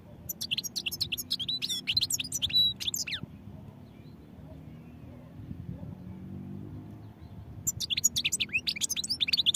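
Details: European goldfinch singing a rapid, liquid twittering song with sliding notes, pausing for several seconds before resuming, low background rumble throughout.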